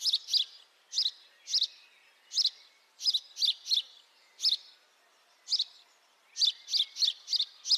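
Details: House sparrow chirping persistently, harsh bright notes in quick doubles and triples, a pause near the middle, then a dense closing burst.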